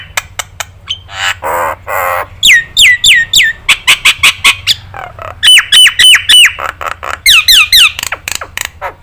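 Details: Nias hill myna, training recording for other birds to learn from: a busy mix of sharp clicks, rasping bursts and bright down-slurred whistles, delivered quickly in loose bouts with a steady low background hum.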